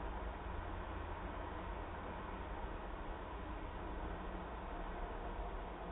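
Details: Constant broadband hiss and low rumble like traffic or machinery, with no animal voices present.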